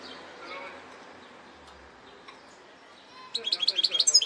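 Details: Goldfinch hybrid. After a near-silent stretch, the song starts suddenly with a fast burst of bright, high, twittering notes near the end.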